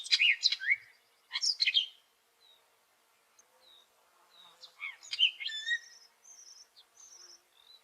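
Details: Hooded Oriole (Icterus cucullatus) call: a jumble of harsh chattering bursts, then scattered high whistles, slurred chirps and short trills, with a dove heard in the background.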